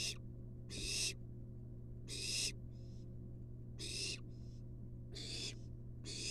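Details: Long series of rasping begging hisses from a wild barn owl nestling receiving a long-tailed rat from its mother in a research nest box, with shorter softer hisses between the loud ones and a constant low hum.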